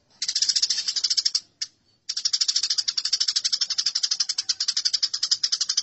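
House sparrows squabbling in a dense, scratchy chatter of rapid high chirps, about ten a second, broken by one short pause.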